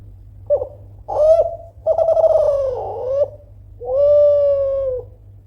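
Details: Kelantan-type spotted dove calling loudly to provoke rivals into answering: a brief low note, a rising coo, a long burred wavering coo, then a drawn-out steady coo, all in a low mellow pitch with a faint hum behind.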